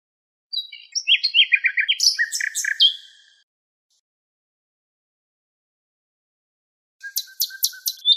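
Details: Nightingale song from a recording tape: a varied phrase of whistles, chirps and very high clicking notes lasting about three seconds, silence, then a fresh burst of sharp high repeated clicks over a faint lower note.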